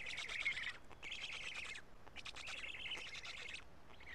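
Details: Raspy, rattling bursts from Black stork chicks at a Karula nest, noon on 31 May 2017, while being fed two big fish; three long grating phrases separated by brief gaps.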